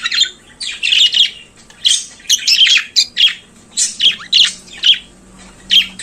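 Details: In the morning a budgerigar gives a series of separate short chirps and squeaky, scratchy notes, roughly two every second, with brief silences between them and a faint low hum.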